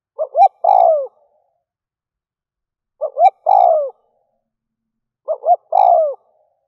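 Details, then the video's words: Spotted dove used as a decoy to provoke wild doves: three cooing phrases about two and a half seconds apart, each two short rising hoots then a longer, throaty, falling coo; otherwise quiet. "Cu mồi kèm || Tiếng chim cu gáy kích bổi nhanh nổi"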